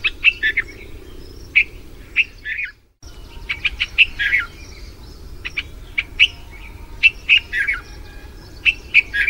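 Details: Mate calls from a Red-vented bulbul in India after the monsoon: busy bright chirping and quick paired notes in repeated bursts, briefly cut by a short silent gap, over low background hum.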